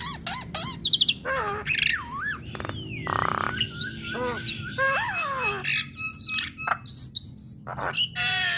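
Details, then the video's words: Female Black-winged starling singing so that listening starlings answer: a varied run of squawks, bending whistles, descending slurred notes and harsh rasps, with quieter background chatter. "Kicauan Jalak Kebo Betina Bikin Jalak Kebo Yang Dengar Langsung Respon"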